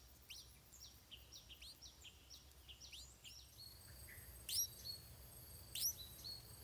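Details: A stripe-throated bulbul chick being fed by its parents begs with a quick run of thin, high, down-slurred chirps, then two louder, sharper notes over a soft background hiss.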